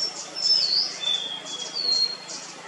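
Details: White-bellied blue robin, or white-bellied sholakili, at Munnar, Kerala, India, in February 2023: thin, very high whistled notes, some sliding downward, over a steady hiss of background noise.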